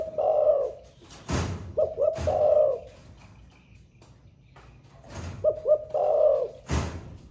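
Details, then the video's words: A spotted dove kept as a caged songbird coos in the thổ pha voice. Three low phrases, each with short double hoots and a rolling coo. Several loud thumps, likely movement, are also heard. "Cu gáy 800k giọng THỔ PHA mới nổi gáy cả ngày"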